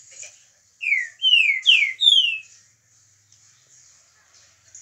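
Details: A 22-year-old Mineiro-type green-winged saltator sings a short phrase of four loud, clear, downslurred whistles in quick succession, with a faint high hiss in the background.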